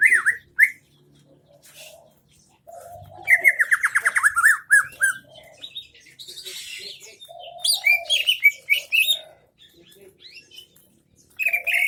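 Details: Greater green leafbird from Aceh Tengah with its 'isian MB' song. Scattered whistles give way to a fast, rattling trill of rapid notes, then varied sharp whistled phrases and low hoarse notes, ending in a final whistle.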